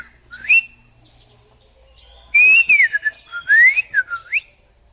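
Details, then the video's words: A leafbird gives a brief upslurred whistle, pauses, then delivers a rapid string of varied whistles that rise, twist and drop in quick succession. "Burung Murai Daun Berkicau"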